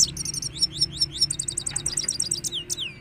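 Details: Goldfinch singing a fast run of bright, repeated high chips and short tinkling notes, then a downward-sliding note at the end, over a steady low background hum.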